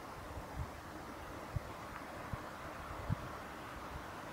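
Steady wind and low vehicle rumble outdoors, broken by a few soft low thumps, with no animal voice heard.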